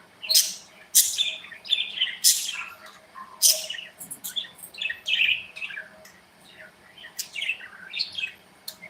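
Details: Pet budgerigars kept together in an aviary give a lively run of loud, warbled chirps, each note sliding downward, repeated roughly every second over a steady faint hum.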